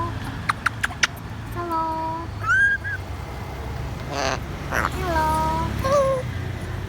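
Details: A grey parrot named Bibi mimics speech, saying "hello", "hello baby" and its name in harmonic, voice-like tones, with a few sharp clicks and its owner talking in between, praising it as a good boy.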